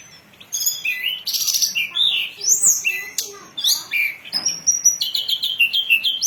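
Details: Lure recording of a hill blue flycatcher singing, for training birds: a tumbling stream of whistles, slurs and chips, varied and continuous, over a faint background.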